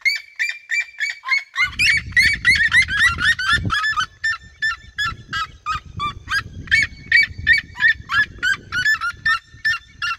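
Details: Red-legged seriema flock in open regional fields, singing around the recordist: rapid loud yelping notes repeated about three per second, several birds overlapping at mid-clip, with low rumbling background noise after the first seconds.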